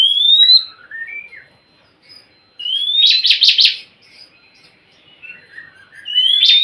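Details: Oriental magpie-robin singing, used to stir a quiet bird into song: rising whistles with descending warbles, a burst of three or four harsh rasping notes in the middle, and a final upward whistle.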